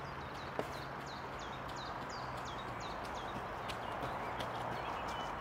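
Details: Great spotted woodpecker (Dendrocopos major) calling on 25 March 2023 on the castle plateau, Ljubljana, Slovenia: sharp, high, down-slurred notes repeated about three times a second, over a low steady hum.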